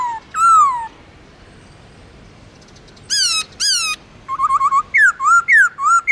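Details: Black-throated laughingthrush, a pet songbird used to train others, in long slurred forest-style singing: a swooping whistle, silence, two bright falling notes, then a fast chain of short, looping whistles.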